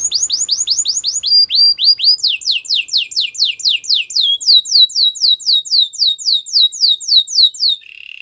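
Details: Belgian canary singing: a long series of loud downswept whistled notes repeated about four times a second, shifting pitch between phrases, ending in a short low roll.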